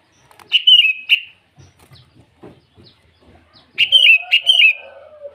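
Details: Sooty-headed bulbul calling rivals at morning; a bubbly double phrase, quiet low tapping sounds, then a longer run of three warbled notes trailing into a soft lower tone.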